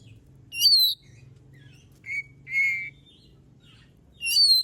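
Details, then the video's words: Oriental magpie-robin (kacer) song used to prompt other birds to sing: spaced clear whistles, some rising and some steady, about every second or two, over soft low hum. "Suara burung kacer gacor paling ampuh buat pancingan"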